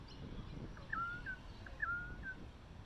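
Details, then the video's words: A currawong approaching in search of food gives two clear whistled phrases about a second apart, each a short note then a longer level whistle, over a low rumble. "Currawong approaches looking for food and makes a cute noise"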